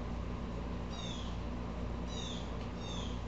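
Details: Blue Jay upset, giving one harsh descending call, then after a pause two more in quick succession, fairly faint over a constant low hum.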